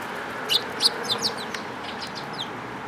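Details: Sparrows on 10 June 2018 chirping: a quick run of high, sharp, downward-slurred notes packed into one second, then softer scattered chirps, set against a steady rushing background noise.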